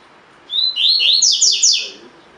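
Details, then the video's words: Double-collared seedeater (coleiro) giving one phrase of 'tui tui' song for training caged birds: a thin rising whistle, then a quick tumbling series of loud, sweet slurred notes. "COLEIRO DE GOLA TUI TUI FIBRA (8 Horas Encarte)"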